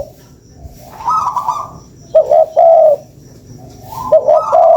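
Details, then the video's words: A spotted dove, used as a lure, gives a faint higher coo, then a clear two-part phrase of a short note and a long wavering coo, and the pattern begins again. "SUARA PANCINGAN BURUNG TEKUKUR"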